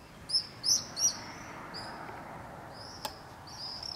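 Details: Common swifts over a street in Beek Ubbergen, the Netherlands, July 22 2012, screaming party near nests; three quick loud shrill screams, then fainter distant screams and a sharp click.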